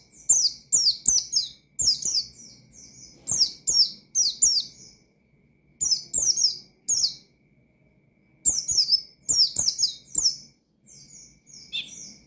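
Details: A long, energetic bout of ngalas-style song from an Oriental white-eye calling out rival birds: repeated bunches of three or four shrill, steeply falling chirps with brief gaps, sustained throughout.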